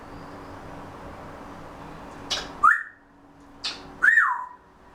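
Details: Pet Grey Parrot drowsily chattering before a daytime nap: two short clicks each followed by a brief rising-then-falling whistle, about a second and a half apart, over gentle room hiss.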